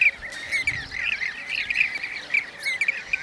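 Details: Blue-cheeked bee-eaters in Şanlıurfa, Turkey, 2016, giving quick rolling trilled calls nearly twice a second, irregularly spaced, amid a background of other bee-eaters chattering.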